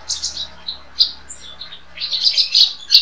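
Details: White-rumped shama singing a master song used for training other songbirds. High, thin chirps and twittering notes in short bursts, with quiet gaps between phrases.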